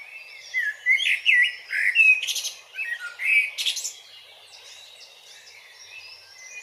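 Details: Eurasian blackbird song in Grmoščica Forest Park, City of Zagreb, Croatia, captured with a Panasonic Lumix DC-TZ90: several loud, liquid warbled phrases mixed with sharp high twitters, followed by a few seconds of faint distant birdsong.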